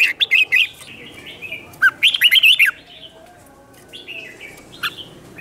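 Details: Red-whiskered bulbul, a wild-caught bird, in provocative duelling song: short bright whistled bursts, then a fast warbling phrase, followed by quieter scattered notes.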